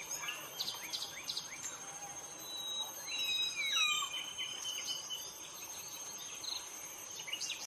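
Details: A Common Hill Myna (Gracula religiosa) gives varied clear whistles and sliding, falling notes, some repeated in quick bursts, over a steady high insect whine and other chirps.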